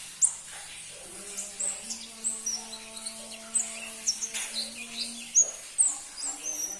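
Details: Crimson-breasted flowerpecker, seldom kept by bird-song enthusiasts, uttering scattered high, thin tweets and quick ticks over steady low tonal hums and faint background noise.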